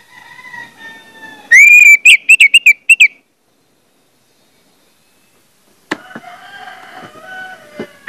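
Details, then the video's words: Lure song of an orange-headed thrush, meant to prompt other thrushes to sing: a fast burst of about eight sharp, loud whistled notes lasting under two seconds, followed by silence, then clicks and soft background chatter. "pancingan anis merah bikin anis merah lain cepat ngeplong"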